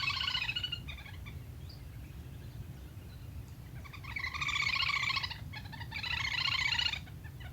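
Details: Lesser whistling duck calls used as a hunting lure: two bursts of rapid, buzzy, pulsed chattering notes, each about a second long, over steady low rumbling background noise.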